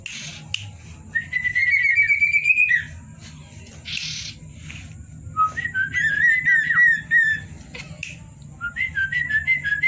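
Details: Common iora singing varied whistles at night: a rising buzzy trilled phrase, then clear whistled notes and quick slurred runs, with several loud noise bursts.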